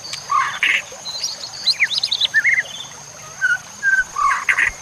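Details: Scattered phrases from a White-rumped shama in a training recording with nature sounds and trickling water: harsh rasping bursts, quick chips and short downslurred whistles separated by brief pauses, with a steady high whine behind.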